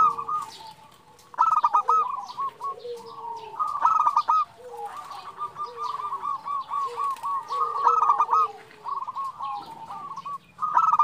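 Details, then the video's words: Female zebra dove calling the male, played to lure and excite other doves: bursts of rapid stuttering cooing notes, repeated through the clip, with a lower, softer drawn-out note beneath in places. "Perkutut betina memanggil jantan"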